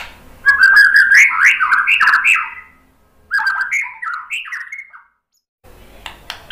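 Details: White-rumped shama song played as a lure to make other birds answer. Two bursts of fast, rich, warbling notes that jump up and down, with a pause between them and a soft rustle at the end.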